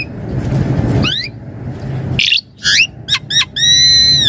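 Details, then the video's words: Javan pied starling, 'isian mompa' varied song used as master and lure, with a rough noisy opening, upward-sweeping whistles, short sharp notes and a long steady ringing whistle at the end. "Suara Jalak Suren Gacor Isian Mompa Full Variasi"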